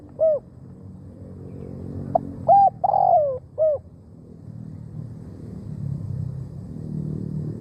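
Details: Decoy spotted dove calling to bring wild birds in: a lone hoot, then a single phrase of brief notes, a rolling descending croo and a final short coo, followed by several seconds of low rumbling noise.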